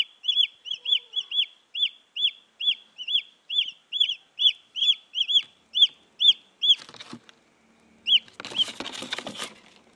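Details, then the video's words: A wild junglefowl chick, recorded to lure female junglefowl, peeps high, thin, down-slurred notes about twice a second for nearly seven seconds, then a soft rustle and one more peep. "Suara anak ayam hutan asli"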